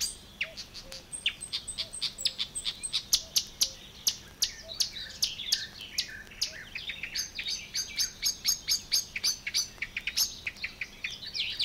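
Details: Marsh Warbler singing in the water-meadows and coastal pastures of Matsalu, a rapid run of varied high chirps, buzzes and clicks with a thin sustained whistle early on and dense ticking phrases later.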